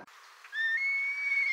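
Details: Red kite (Milvus milvus), call.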